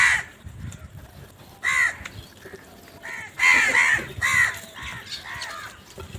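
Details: Crows out in the morning searching for food, giving loud rasping caws in separate bursts, clustered around three and a half to four and a half seconds, against a quiet outdoor background.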